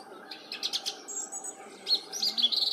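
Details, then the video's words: Song thrush singing: short bursts of bright, high notes, a quick series of similar chirps repeated in a cluster, then a louder, sharper phrase of clipped, repeated whistles, over a faint steady low hum. "Singdrossel (Turdus philomelos)"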